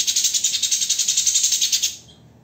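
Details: Rapid harsh chatter from a white-rumped shama in the 'tembakan' style of dense shots, used as master material for training songbirds. About seventeen grating, buzzy pulses come in two seconds, then end abruptly.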